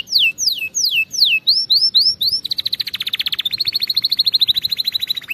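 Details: Canary song for training canaries to sing properly: several loud downward-slurred whistles, then a long, dense, buzzy trill that steadies into evenly spaced rapid notes.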